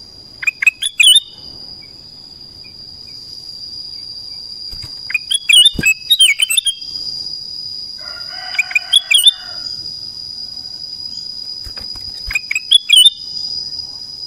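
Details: Morning song of a black-crested bulbul: clusters of quick liquid whistled notes repeated at intervals of a few seconds, with a lower rasping chatter midway and a constant high-pitched whine throughout.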